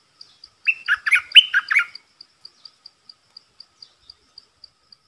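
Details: Caged red-whiskered bulbul used as a decoy, calling to lure a territorial wild bird: one rapid burst of four or five bright, warbled notes, followed by a steady series of short high ticks repeating about twice a second.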